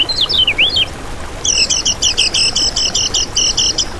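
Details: Lemon-bellied white-eye, lure song for trapping: a few high, wavering slurred notes, then a long, fast, even trill of rapidly repeated double chips lasting over two seconds.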